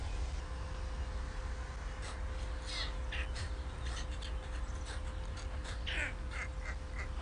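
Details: White stork chicks in Ustroń, 15–16 May 2019, left hungry since their mother has been absent from 6 am in bad weather, give hoarse, raspy begging calls in short bursts over a steady low rumble of wind and background hum.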